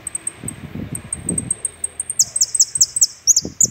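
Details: Finch (jilguero) singing its 'completo' song: a high ticking trill of evenly spaced notes, then a string of loud, bright descending chirps repeated rapidly, over low thuds and rustling.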